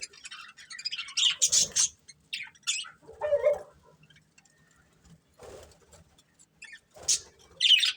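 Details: Pet budgerigars, a breeding pair, chirping in short bursts of scratchy, buzzy high notes with gaps of silence between; a few low thuds underneath.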